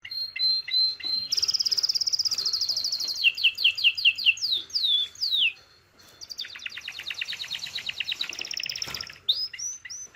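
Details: Excited male canary singing for mating alongside a female's call: fast trills of repeated notes, rapid descending sweeps, a short pause, then a dense buzzy trill and clear rising whistles.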